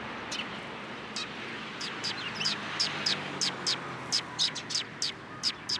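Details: A flock of sparrows collecting in a cherry tree at a Tenmangu shrine, 21 March 2023: dense, overlapping sharp chirps that grow busier and louder toward the end, against low background hum.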